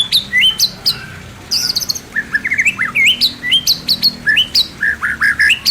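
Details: A pair of white-rumped shamas kept in an aviary, singing loud clear whistles with rising and zigzag slurs, mixed with sharp high chips and short squawky notes in a lively, varied sequence.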